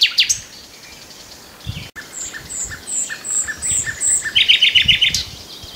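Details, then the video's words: Common nightingale delivering a loud opening note, a run of high, clear repeated whistles, then a quick series of about six sharp, rattling notes at a steady rhythm. "The best Birdsong movie ever starring the Common Nightingale"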